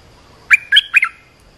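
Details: Olive-winged bulbul call played to train young birds and lure wild birds: three bright, sharp chirping notes in quick succession, about a fifth of a second apart, over a quiet background.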